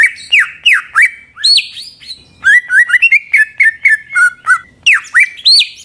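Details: Greater green leafbird (Chloropsis sonnerati) song used to provoke other leafbirds to sing: a rich, varied run of loud whistles, downslurred and rising notes, chirps and mimicked phrases, in quick bursts about three per second.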